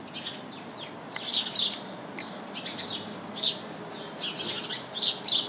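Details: A house sparrow chirps in a bush crowded with house sparrows: quick, high, piercing chirps, often doubled, arriving in uneven bursts several times per second against a quiet outdoor background.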